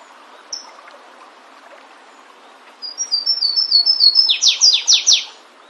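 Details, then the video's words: Flavescent warbler singing in the wild: a loud rising series of high whistled notes, about eight quick slurred phrases accelerating into a run of four emphatic descending sweeps near the end, after a single high note earlier. "Canário do Mato cantando bonito na natureza. Aprecie o lindo canto deste canário diferente."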